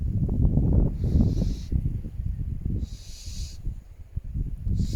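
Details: Barn owls hissing at night in November around an old croft house where they nest yearly, the male seemingly showing the female a new nest spot: drawn-out airy hisses repeating roughly every two seconds, strong gusting wind beneath.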